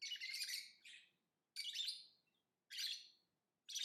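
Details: Lovebird singing and chirping in harsh, buzzy, broadband bursts: three chattering phrases, each about a second long, separated by brief silences. Nothing else is heard.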